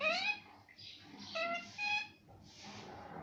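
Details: Parrot that talks, said to say mummy and papa, gives a run of short harmonic, speech-like syllables, some clipped and some drawn out and level, then a softer breathy hiss at the end.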